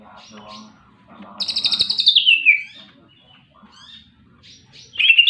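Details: Greater green leafbird delivering a long buzzy, rapid rattle that slides down into a slurred whistle, followed by soft chatter and another loud whistle starting at the end.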